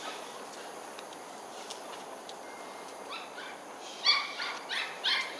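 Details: One of two grey-headed fish eagles at Ulu Pandan Park Connector, Singapore, 30 June 2021 at 6:55 pm, giving loud, harsh yelping calls in a quick series of four or five notes after a quiet start, over steady hiss.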